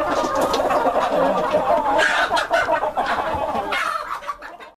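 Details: White Rock chicken breeder flock, a heavy brown-egg laying Plymouth Rock variety, giving overlapping clucks and a few louder cackling squawks near the middle before the chorus fades and cuts out at the end.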